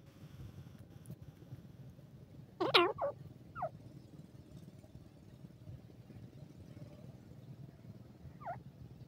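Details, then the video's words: Jangli teetar, a wild partridge of South Asia's rural open country: one loud harsh burst with a quick follow-up note, a softer note a second later, then a faint note near the end, over steady low rumbling background noise. "jangli teetar ky voice,teetar voice, dakhni teeetar sound"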